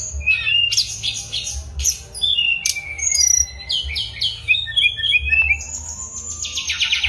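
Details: Mangrove blue flycatcher singing: a varied run of clear whistled notes, slurred glides and short rapid trills at high pitch, with brief pauses between phrases over a faint low hum.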